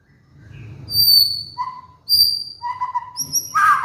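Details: White-rumped shama lure song used as a master recording to train and stir molting caged birds to sing; pure high whistles with overtones, then a lower whistled note and a short burst near the end.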